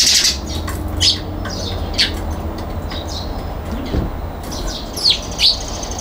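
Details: A Eurasian tree sparrow on a balcony, 22 November 2021, gives short, bright chirps spaced irregularly about a second apart, over a steady low hum of distant traffic.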